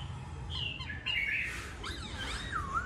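A masked laughingthrush sings rich, loud whistled phrases that slide up and down, mimicking the cuckoo's 'bat co troi cot' call, over a low background rumble.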